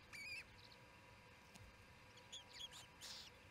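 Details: Osprey calling at the Charlo nest, June 18, 2018, around 7pm during the second evening feeding: a clear, whistled, slightly rising call at the start, then scattered thin chirps and a short burst of noise.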